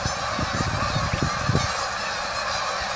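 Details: Loud flock of geese met on a walk: dense, overlapping rough honking bursts over the first second and a half, then a steady broadband roar continuing to the end.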